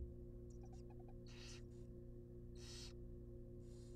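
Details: Nest-box barn owl nestlings, wild birds, fed a rabbit: soft ticking clicks give way to loud rasping hisses lasting about half a second each, three in four seconds, with a persistent low mechanical hum.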